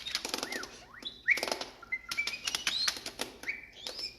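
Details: In Connecticut a male blue jay tap dances on a person's finger, crown up, belly puffed, tail flared, uttering R2-D2-like sounds: a string of clear whistled notes that slide up, down and hold level, mixed with quick sharp tapping clicks throughout.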